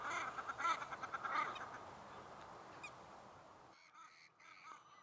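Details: Shelduck in a mating-season fight: a quick series of harsh, rhythmic calls that fades out, then thin higher notes after a sudden drop in background noise.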